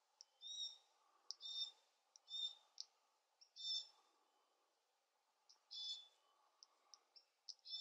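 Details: While a fledgling glossy black cockatoo is fed, it gives a run of rasping, buzzy high calls with clicks, in uneven clusters and a short pause, over a faint low hum.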